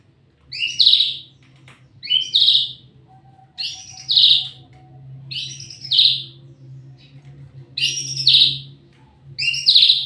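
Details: White-rumped shama in full song, repeating a loud, rich, high burst of notes about every two seconds, six phrases in all, with a steady low hum beneath.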